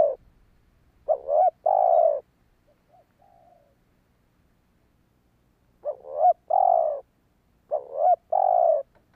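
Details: Spotted dove cooing to attract wild birds: a mellow phrase of two short quavering notes and a drawn-out coo. After a long gap, two more such phrases follow in quick succession, with faint soft notes in between.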